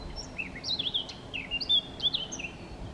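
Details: Eurasian blackcap, Chełm, Poland, 17 May 2022, singing between feeding: a close, continuous string of clear, slurred whistles, some rising and some falling, delivered quickly over a faint low hum.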